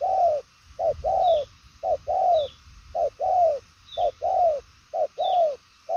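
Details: Đồng son chân tím spotted dove cooing strongly and fast: a brief note followed by a drawn-out, gently descending coo, repeated steadily about once a second, with faint high chirps from another bird in the background.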